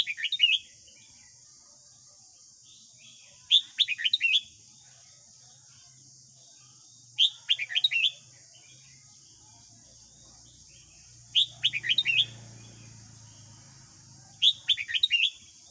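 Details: Red-whiskered bulbul morning song, played daily to train a young wild-caught captive bird: five short phrases of quick, bright, falling whistles, repeated roughly every 3.5 seconds, with a faint low hum and a constant high hiss.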